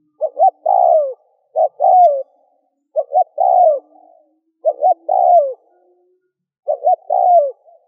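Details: Spotted dove decoy call used to lure and quickly provoke wild doves: five cooing phrases in eight seconds, each two short clipped coos followed by a longer, falling, slightly hoarse coo, separated by silent gaps; faint low hum in places.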